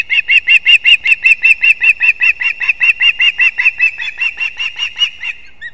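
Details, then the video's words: Osprey chicks competing at a nest in a leaning old pine in Kurzeme, Latvia, dated 11-9-24: a steady run of sharp, whistled chirps, about two and a half per second. The notes soften and fade toward the end. "КОНКУРЕНЦІЯ МІЖ ПТАШЕНЯТАМИ СКОПА ГНІЗДО"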